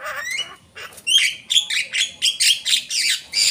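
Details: Javan myna used as a lure recording, giving a rapid run of harsh, squeaky chattering notes, about four per second, high and noisy with whistled edges.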